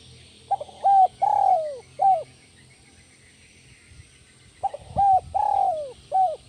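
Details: Spotted dove singing in the 'kuk 1 melambung' style: two phrases, each of a few short mellow coos, then a long drawn coo sliding downward and a final short coo, separated by a few seconds of quiet.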